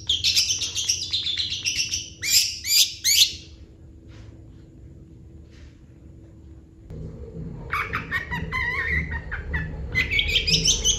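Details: Long-tailed shrike singing energetically in full isian style: bursts of sharp, scratchy high chatter, a pause of near silence for several seconds, then rapid rasping, warbled phrases rising into shrill squeaky notes, with faint background hum.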